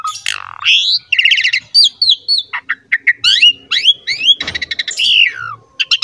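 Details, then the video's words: Asian pied starling singing in the 'gacor mompa' style meant to coax young birds into song: a fast mix of upswept whistles, rattling chip bursts and harsh buzzy notes, each phrase sharply separated. "PANCINGAN JALAK SUREN GACOR MOMPA FULL MATERI MEWAH UNTUK JALAK MUDA"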